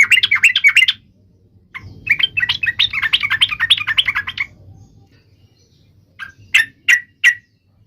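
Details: Bulbul singing in a recording used to trigger song in other bulbuls: long chattering phrases of quick varied notes, a quiet gap, then three sharp, separate whistled chips spaced about a third of a second apart.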